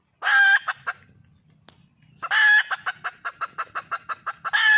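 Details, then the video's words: Red junglefowl hen, wild, calling for a mate: a loud squawk with a few clucks, a pause, then another squawk and a steady run of short clucks, faint low noise. "le bruit d'une poule sauvage,เสียงไก่ป่าร้องหาถู่หาตัวผู้,ສຽງໄກ່ປ່າຮ້ອງຫາຄູ່ຮັກ, poj qaib qus see"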